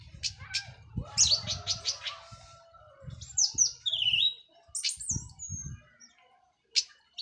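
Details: Post-moult orange-headed thrush of Cililin stock singing teler style: quick repeated chirps, then rising and dipping whistles and short sweeps, accompanied by soft low thumps and knocking sounds.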